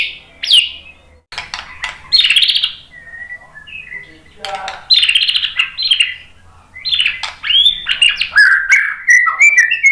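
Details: White-rumped shama singing a varied lure song: clipped chirps and loud downslurred whistles alternate with brief pauses, then a run of bright, warbling whistled phrases closes the passage.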